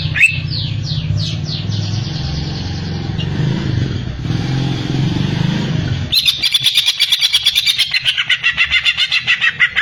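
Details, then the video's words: Greater green leafbird (cucak ijo) singing: a few rising chirps open, then a loud droning engine rumble dominates before a fast, pulsed, buzzy trill of rapidly repeated notes takes over the last four seconds. "burung cucak ijo"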